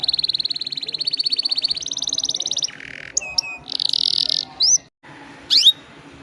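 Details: Atlantic canary song used as a lure, with long rolling phrases: a fast high trill, then a buzzy lower roll, followed by sharp whistled notes and upward sweeps separated by short pauses.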